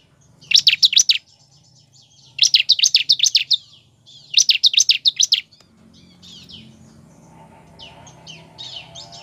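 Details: Bar-winged prinia (ciblek) song used as a lure to get captive birds singing: three bursts of rapid, high buzzy chattering notes, each about half a second long, about two seconds apart, then faint softer twittering with a low hum beneath.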